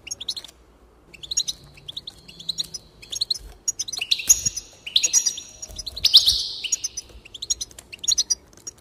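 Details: Goldfinch singing, meant to stimulate other goldfinches into song; quick liquid twitters build to louder buzzy, drawn-out notes around the middle, then scattered chirps trail off.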